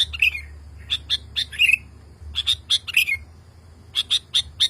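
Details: Male sooty-headed bulbul calling a female, agitated and unable to keep quiet after hearing other bulbuls: bursts of sharp high chirps in short clusters, some slurred downward notes, with brief pauses between groups.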